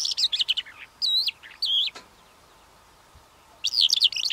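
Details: Calandra lark giving rapid twittering phrases of high, looping whistles and chirps, a short pause with one faint click, then another quick tumbling burst of notes.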